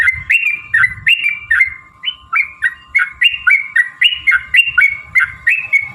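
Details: Sooty-headed bulbul lively song with long runs, played to prompt other bulbuls to sing: brisk series of short slurred whistled notes, roughly four a second, fairly even in pitch, above a faint hum and low thumps.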